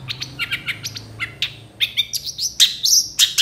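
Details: Long-tailed shrike song rich in varied fill phrases, played to lure other shrikes into answering; scratchy chatters give way to thin whistled upslurs and bright, sharp whistles, with faint low hum.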